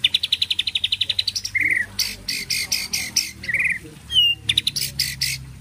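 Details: White-rumped shama singing a varied song: a fast run of clipped high notes, then buzzy bursts and short whistled slurs, phrases separated by brief pauses.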